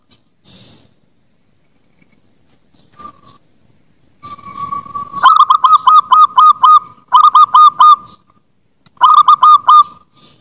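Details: Zebra dove (perkutut) song used as training material for birds: after quiet and a faint murmur, bursts of fast, staccato mid-pitched coos in rapid clusters of four to six notes, separated by brief pauses.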